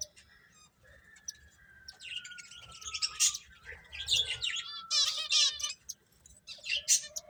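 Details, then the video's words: Finches chirping while eating: scattered short, high bright chirps and trills, sparse at first then in dense bursts, with a faint steady whistle-like tone in the background. "Cute Birds Chirping Sounds | Beautiful Finches Eating"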